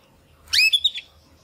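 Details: Young male Timbrado canary, kept as a pet, in an early attempt at song after its first molt; one brief bright whistled note sliding upward, then two quick chirps, in otherwise quiet surroundings.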